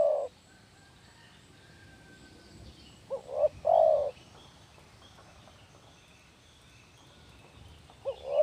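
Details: Spotted dove lure call: a deep coo, a long silence with faint distant birds, then a phrase of two short rising coos and a drawn-out loud coo, and another phrase beginning at the end.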